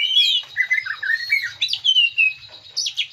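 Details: Green leafbird (cucak ijo) singing as a lure to bring out a full song: fluid whistled phrases sliding down and up, clear slurred notes interspersed with brief chatter, dense and unbroken.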